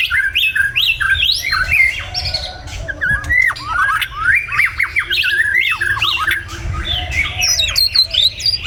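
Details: Morning song of a white-rumped shama from Vietnam: a dense stream of varied whistles, sharp upsweeps and downslurred notes, phrases following one another without pause over a low steady hum.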